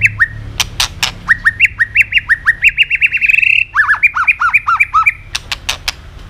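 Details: White-rumped shama singing vigorously with tạch clicks, used to prompt other birds to sing: loud clicks lead into rhythmic, evenly repeated whistled notes, about two per second, shifting to lower, bouncing paired notes.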